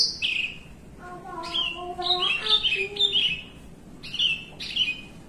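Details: A kept Horsfield's bush lark, sitting relaxed, sings a long song: a run of bright, high whistled notes, many slurring downward, broken by a lower warbled passage midway.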